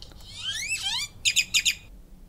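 A grackle gives a squeaky, rising whistle that sweeps upward, then ends in four harsh, buzzy bursts in quick succession.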